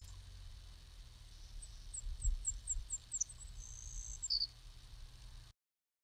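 A Savannah Sparrow sings a series of high, thin chips that speed up, then a long insect-like buzz and a short final note, over a low rumble.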